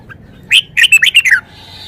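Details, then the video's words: Red-whiskered bulbul displaying its song repertoire, a single brisk phrase of five or six loud whistled notes that jump about and finish in a falling slur. "นกกรงหัวจุก 599 จ้าวมาดี"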